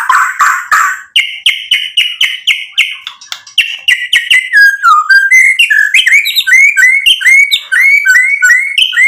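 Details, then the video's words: White-rumped shama of the Medan type singing actively, full of mimicked filler material, meant to provoke rival males: buzzy notes, then rapid repeated whistled phrases, some rising and some falling, many per second. "MURAI BATU GACOR bikin EMOSI lawan jadi NYAUT BUNYI BONGKAR MATERI ISIAN cocok buat PANCINGAN murai"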